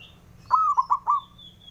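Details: Local male zebra dove giving its challenge call to rivals: a single phrase with a sustained first coo, two brief notes and a fading final coo, with a thin high whistle near the end.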